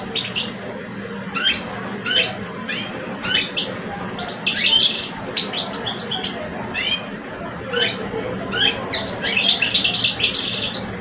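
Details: A singing contest between two caged male European goldfinches in Algeria, an older bird and a two-year-old. Bright chirps and trilled phrases come in short, separated bursts, with a few sliding notes and faint low hum beneath.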